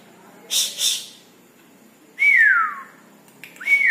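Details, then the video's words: A red-breasted parakeet calling actively at night gives two short harsh, scratchy notes, then a loud clear whistle sliding downward, and starts another high whistle at the end; the room is otherwise quiet. "Nuri Paltem Gacor diMalam Hari"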